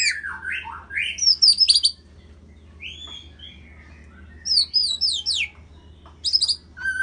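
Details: White-rumped shama in Medan, Indonesia, singing loud, varied whistles: a falling slurred phrase, then high sharp sweeping notes, a pause with soft mid-pitched whistles, and more bright high flourishes near the end.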